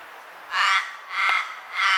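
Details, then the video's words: Common raven calling: three harsh, hoarse caws spaced about half a second apart, each broad and noisy, over a quiet background. "Raven Sound | Mysterious Calls of One of Nature’s Smartest Birds"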